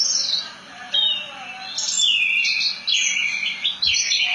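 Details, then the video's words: Branjangan (Javan bush lark) in ngerol nembak song: high thin notes, then bursts of rapid twittering and downward-sliding whistles strung together without pause. "Kicauan Burung "BRANJANGAN" Ngerol Nembak Mantap !!!"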